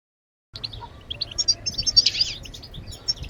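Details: European goldfinch bebtebat song starting after a brief silence, quick chirps and twitters rising into a buzzy rasping flourish, over a low hum.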